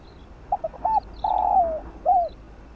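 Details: Spotted dove giving a quick 'field voice' coo sequence used to lure and train decoy birds: stuttered opening notes, a brief coo, a long rolling descending coo and a rounded last note.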